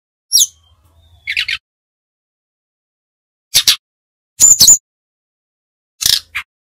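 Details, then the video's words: Brown-chested jungle flycatcher from Bali giving its nyiul or nyuling style song: short, separate bursts of very high, sharp chirps and quick twitters, spaced by silent gaps of up to two seconds against a quiet background. "Burung sikatan rimba dada coklat ori bali - Belajar nyiul / nyuling GACOR"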